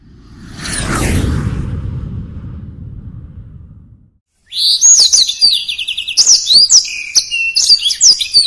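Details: Black-throated canary singing a fast, tightly packed song of high twittering notes and sweeping whistles, beginning after four seconds of loud whooshing low rumble and a brief silence.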